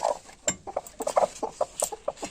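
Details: Hens sitting on their eggs in a village house in Bengal cluck noisily as eggs are collected from under them; short clucks repeated in quick irregular bursts, with handling noise.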